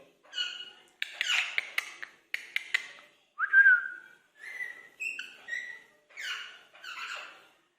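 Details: Indian ringneck parakeets, kept birds, trading greetings: a string of short chattering and speech-like syllables mixed with clear whistled notes, one sliding whistle at mid-clip, and brief pauses between phrases.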